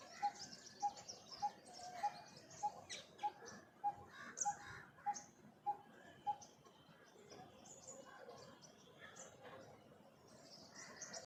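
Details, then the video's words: Coppersmith barbet giving a steady, hollow 'tuk' note about every 0.6 seconds, roughly eleven times before stopping, with other birds chirping higher in the background; jungle setting. "sound of coppersmith barber"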